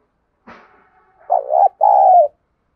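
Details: Decoy spotted dove cooing to stir other doves into calling. A soft rustle comes first, then two mellow, low coos follow closely, the second slightly longer and smoother.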